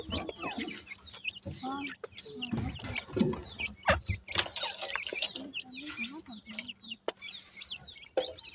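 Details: Young Grey francolins (teetar) quarrel with their mother after being fed. Rapid, uneven high peeps and twittering chirps mix with lower clucks and scuffling, and a faint voice is heard in places.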